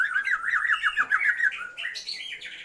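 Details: Oriental magpie-robin female calling the male to heighten his breeding drive, giving a rapid series of wavering, warbled notes followed by higher, harsher squawky notes.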